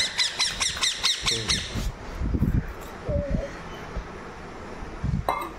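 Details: Pet ringneck parrot: a rapid series of grating squawks in the first two seconds, then quieter rustling, low thumps and a brief single squawk near the end.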